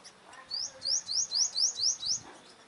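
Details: Sunbird, a trapped bird confronting dominant rival males, gives a fast run of seven high, thin, sharply rising upslurred notes, evenly spaced over under two seconds, with faint background noise.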